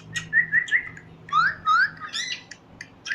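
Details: Parrot chirping: three quick level whistles, then two longer rising whistles and a harsher burst, over a faint low hum.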